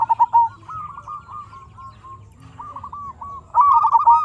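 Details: Zebra dove from Indonesia's local stock, singing to lure quiet birds into calling. A fast, fluttering trill of soft coos fades in the middle, then returns loud and rolling at the end.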